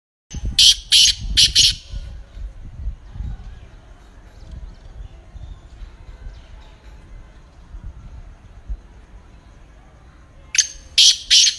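Black francolin giving two phrases of three or four loud, harsh, grating notes about ten seconds apart, over low wind rumble.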